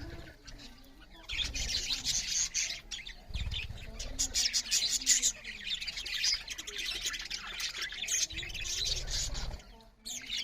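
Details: Budgerigars eating and chirping loudly: a continuous flock chatter of high, fast, scratchy twitters, with low bumps and rustles beneath.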